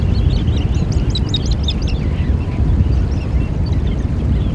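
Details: Eurasian oystercatcher: a burst of six or seven shrill, down-slurred piping notes in rapid succession, followed by softer overlapping calls from a group, beneath a steady roar of wind or waves.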